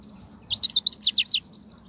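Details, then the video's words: ['European goldfinch, wild recording from 2019 meant to motivate caged birds to sing: about ten rapid, high, clipped twittering notes in under a second over a faint low hum.'] "بتبتة الحسون , (بتبتة برية 2019) , فيديو تحفيزي"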